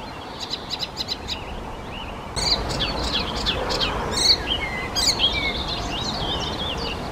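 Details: Icterine warbler singing in Czechia: quick high ticking notes, then a fast, varied jumble of chattering, nasal and clear whistled phrases, over a steady outdoor hiss.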